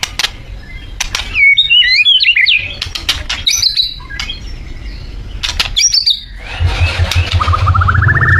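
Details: Borneo white-rumped shama singing strongly, used as a lure to make other birds sing: varied clear whistled phrases with rising and falling slurs, interrupted by sharp clicks and wing-flutter sounds, with a low rumble in the background.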